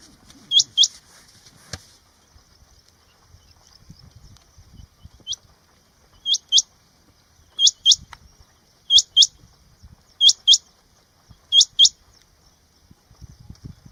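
A rain quail gives sharp, metallic doubled notes, each pair repeated about every second and a half.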